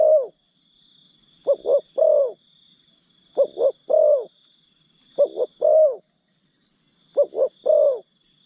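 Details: Decoy spotted dove calling to coax wild birds: regular phrases of two clipped notes and one longer downslurred coo, five phrases about two seconds apart, against a constant insect hum.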